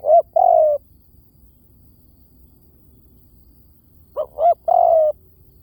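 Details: Spotted dove giving a lure-style decoy call: one long, even, slightly falling hooted coo, then after a pause a phrase of two short rising notes ending in another long drawn coo. Quiet background.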